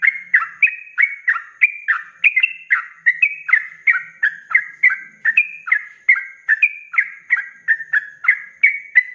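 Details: Sooty-headed bulbul (trucuk) singing in the rapid 'ropelan' style, used as a tutor recording for cage birds: a steady run of bubbly, slurred whistled notes, about three per second, alternating higher and lower pitches without pause.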